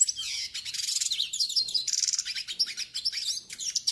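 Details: Yellow-faced siskin song meant for tutoring and warming up birds: rapid, unbroken twittering of bright chirps, buzzy trills and sweet whistled notes, dense and varied throughout four seconds.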